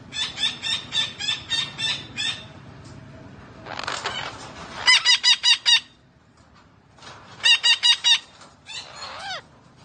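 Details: Parrot repeating bursts of rapid, raspy, stacked squawks, several short notes per burst, with brief pauses between groups and one falling squeal near the end; faint background hum.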